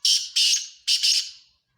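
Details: A black francolin (kala teetar) gives loud, harsh, grating calls. There are two rasping phrases, each a double burst that starts strong and trails off, with a short gap between them. Nothing else is heard.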